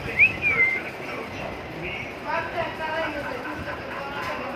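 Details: Pet cockatiel in Dhaka, Bangladesh, gives a brief, bright whistle that sweeps up and then slides down, with soft voices behind; Cockatiel.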